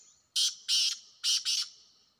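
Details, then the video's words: Harsh call of a wild black francolin: four loud, grating, buzzy notes delivered as two quick pairs, each note fading into a faint trailing tone. "جنگلی کالے تیتروں کی آوازیں"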